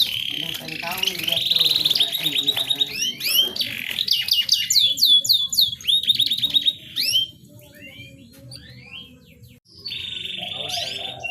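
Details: Canary song for stimulating a reluctant canary to mate: loud trills and sharp swept notes for about seven seconds, a quiet pause, then a short buzzy trill at the close.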